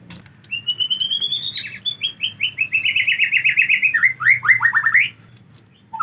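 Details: In the rainy season a white-rumped shama, finding it hard to bathe, sings a long rising whistle, then a rapid rhythmic series of ringing notes that speeds into looping downward slurs.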